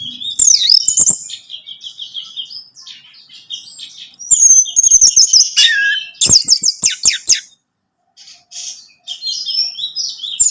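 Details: Orange-headed thrush song for encouraging a captive bird to sing: a long, varied sequence of high sweeping whistles, buzzy trills and rapid chattering notes, with a short silence before the song resumes.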